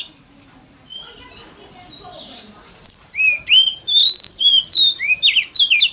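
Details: Oriental magpie-robin lure song in mountain-forest style, aimed at prompting other magpie-robins to sing: quiet murmurs for three seconds, then a lively run of loud upswept whistles and twittering notes, about three per second.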